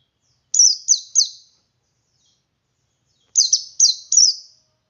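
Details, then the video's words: High, sweet, downward-slurring triplets from a male white-eye singing ngalas to encourage other white-eyes to sing; two bursts about three seconds apart against a clean, quiet background. "Suara Burung Pleci Jantan Ngalas Memancing Pleci Lain Ikut Ngalas"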